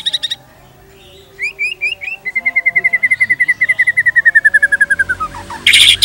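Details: Indonesian white-rumped shama singing pancingan material for tutoring: brief high chips, a short repeated note group, then a long even trill of rapid notes that slowly drops in pitch before a harsh burst.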